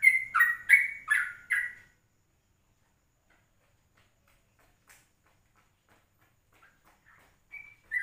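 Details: Yellow-vented bulbul singing at 04:30 in the morning, recorded as a lure: five quick gurgling whistled notes at the start, then near silence with a few faint distant notes at the end.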